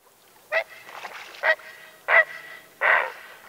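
Great Blue Heron giving four harsh, hoarse squawks spaced under a second apart, each a short rough croak with a nasal edge.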